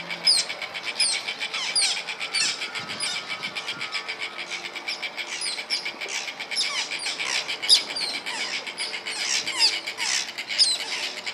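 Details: White-fronted terns, the common tern of New Zealand, calling while mating; sharp high chirps and squeaky notes repeat through a busy, noisy background of many calls.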